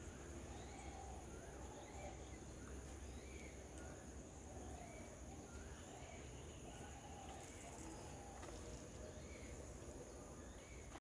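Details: Yellow-billed babblers, a group in a garden in the morning, give short, squeaky, arched notes again and again in a loose chatter; a steady high hum and low background rumble run throughout.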